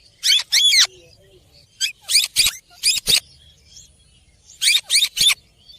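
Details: A green rose-ringed (ringneck) parakeet "talking" gives about ten harsh, raspy, high chattering bursts in quick pairs and triples, like squawky attempts at words.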